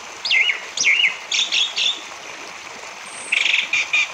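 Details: Song of an orange-headed thrush used to coax other thrushes into song: two looping downswept whistles, a burst of stuttered notes, a pause, then a long high thin whistle leading into rapid rattling phrases.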